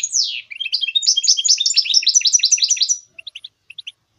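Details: Goldfinch mule song to encourage other birds to sing: a high descending sweep, then about two and a half seconds of fast, evenly repeated chirping trill phrases, ending in a few separate short chirps.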